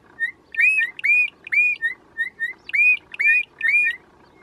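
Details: Forest-dwelling wild bokmakierie singing a steady pattern of short flat whistles alternating with louder looping whistled notes, roughly two notes each second, with no other sounds prominent.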